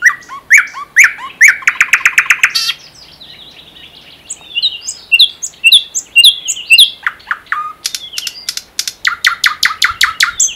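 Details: ['A common nightingale sings in the Unzha floodplain and Kologrivsky Forest reserve, Russia: a fast buzzy trill, a pause, varied twittering chirps, then a loud series of repeated strokes.']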